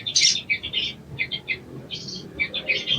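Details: Sogon, an Indonesian songbird, in therapy material meant to prompt quick singing: bright, high chirps in quick groups of two or three, repeated with short pauses.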